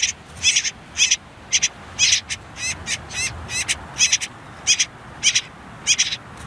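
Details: Nestling common whitethroats begging on their last day in the nest, tucked beneath reeds and nettles near a river: harsh, buzzy bursts repeated almost twice a second against a low even hiss.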